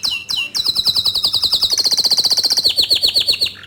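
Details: Bottle-green canary delivering an unbroken, fast trill of crisp high repeated notes that steps up and then down in pitch; recorded as tutor song for young and untrained canaries.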